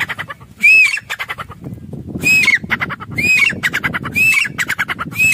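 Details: Grey francolin kept for breeding and sale in Pakistan, calling loudly with ringing, arched whistled notes. Each note is followed by a quick rattling series, and the phrase repeats about every one and a half seconds.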